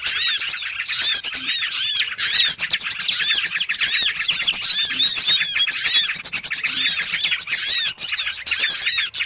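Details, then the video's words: A crowd of small birds calls together in a trapping lure recording, making a steady, busy wall of high chirps, quick arched notes and clicking ticks, with only brief dips in loudness. "SUARA PIKAT BURUNG BURCIL ANDALAN SANGAT AMPUH"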